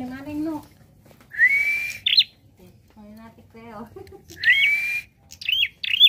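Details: Prinia song with variations: two drawn-out rising whistles, each followed by sharp chirped notes, separated by soft lower wavering tones.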